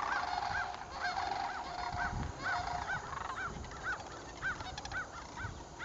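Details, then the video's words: Sandhill cranes, a troupe dancing together during fall southward migration, 7 October 2011; repeated rolling, bugling calls rising and falling, many birds overlapping in a steady chorus over low background rumble. "Sandhill Cranes dancing together during Fall migration"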